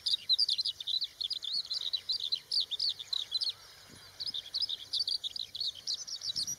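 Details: Eurasian skylark in continuous song: a rapid, unbroken stream of high warbling, twittering notes with a brief pause midway, over steady background hiss.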